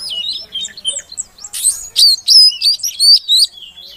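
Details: Calling female Oriental magpie-robin, meant to provoke a silent male into song: soft varied twitters lead into a strong string of shrill upswept chirps, about four per second, ending in quieter notes.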